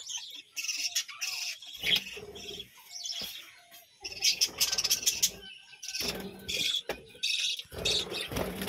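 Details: Budgerigars from a colony at a village home keep up a busy, high-pitched chatter of chirps and rasping warbles in irregular bursts, with faint soft fluttering between them.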